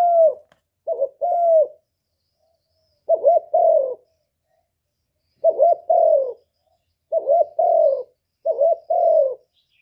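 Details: Lure recording of a spotted dove for trapping and stirring kept birds: clusters of two or three quick burry notes ending in a falling coo, coming in irregular bursts with pauses of one to two seconds.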